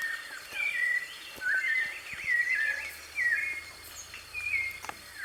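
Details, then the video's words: Live recording of a wild white-necked thrush: whistled, sliding phrases repeated about once a second, with a low hum appearing in the second half. "SABIÁ DE COLEIRA,LIVRE NA NATUREZA,GRAVAÇÃO AO VIVO"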